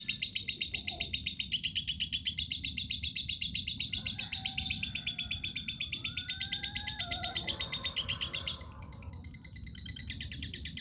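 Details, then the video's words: Lovebird in energetic song, a fast unbroken chatter of high, sharp chirps at about four per second, with a few lower whistled, sliding notes partway through and a steady low hum beneath. "Love Bird"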